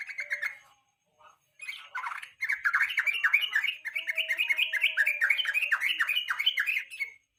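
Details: Yellow-vented bulbul in the late afternoon giving a lure song meant to coax other songbirds to sing; a few short bubbly notes with pauses, then a long run of quick, warbling, chattering syllables.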